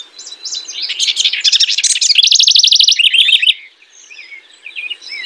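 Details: Loud house wren song: a rushing cascade of fast, bubbly repeated notes and trills, then a softer tail of scattered chirps.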